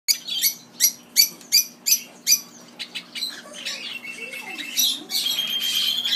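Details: A pair of Bourke's parrots kept at a bird shop in Mizunami, Japan, giving a series of short bright chirps repeated about three times a second, then softer twittering with a higher sustained whistle near the end.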